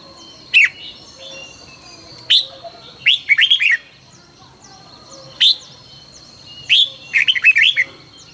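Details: Red-whiskered bulbul in energetic 2020 morning song used for training: a sharp chirp followed by a rapid run of bubbly, bouncing whistled notes, repeated twice, over a continuous high-pitched hum.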